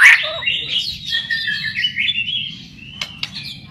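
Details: White-rumped shama song played to lure other shamas into singing: a long, varied run of warbled and whistled notes slowly sliding downward, with a few sharp clicks near the end.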